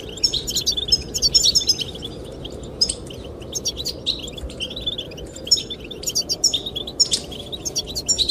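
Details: Several goldfinches twitter in quick, scattered high chirps and brief trills, singing to draw a female, with a continuous low wind rumble beneath the birds.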